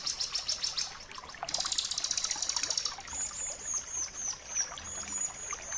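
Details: Bar-winged prinia, known locally as ciblek kristal, singing in a tutor recording for training caged birds to sing. Very high, rapid buzzy trills, then thin whistled notes with a fast chattering texture. No other sounds stand out.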